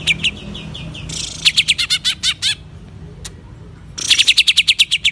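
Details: Greater green leafbird, a kept songbird in full song in East Java, Indonesia: bright, sharp whistled notes in fast repeated bursts, a pause, then another rapid series of ringing chips.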